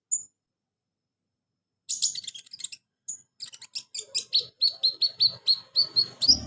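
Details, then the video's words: Kolibri ninja sunbird singing as a lure for a caged bird that won't sing: a lone high note, then twittering bursts building into a steady run of sharp, high chirps about twice a second. "KONIN TERAPI konin malas bunyi Insya Alloh cepat ikut bunyi"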